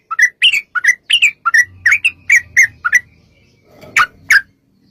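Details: Sooty-headed bulbul song used to provoke bulbuls into singing: a quick run of bubbly, slurred notes, then a pause with low rumble and two sharp closing notes.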